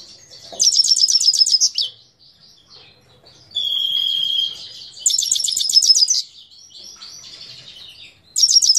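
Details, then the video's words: Himalayan goldfinch singing, recorded at Parachinar: repeated bursts of fast, high, jingling trills about a second long, separated by a steady buzzy whistle and lighter twittering notes. "Parachinar Himalayan Goldfinch Singing 2022"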